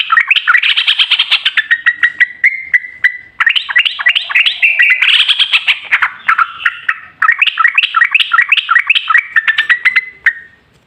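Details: Yellow-vented bulbul lure song for making other bulbuls sing: long, vigorous bubbling phrases of rapid rising and falling chirps, nearly unbroken for about ten seconds with brief pauses.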